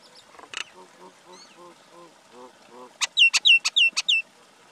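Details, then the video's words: Male and female common mynas (Acridotheres tristis) begin with soft, low gurgling notes, then break into six loud clicks, each paired with a sharp, falling whistle, about three per second. "Call or Song of Male & Female common Myna, Acridotheres tristis"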